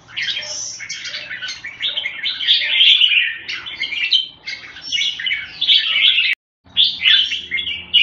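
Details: Red-whiskered bulbul in sustained song, a rich stream of warbled whistles and trills with a brief cut near the end and a low rumble beneath.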